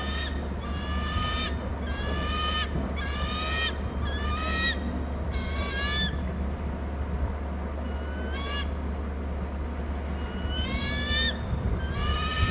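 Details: Nest-camera recording from Hornby Island of bald eagles calling from the nest and the territory: a long run of about a dozen high, thin, slightly falling whistled calls in loose bursts over a steady low hum.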